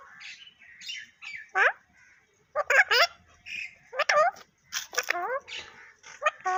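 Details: Talking parrot producing a run of speech-like, rapidly sliding syllables in short bursts with brief pauses, indoors with no other clear sounds.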